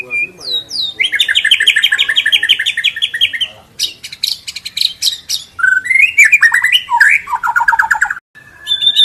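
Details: A white-rumped shama used as a training lure sings insistently with varied phrases. Rapid buzzy chattering runs, sharp high clicks, whistled upslurs and rolling warbled notes follow in loud, nearly continuous bursts, broken by short pauses.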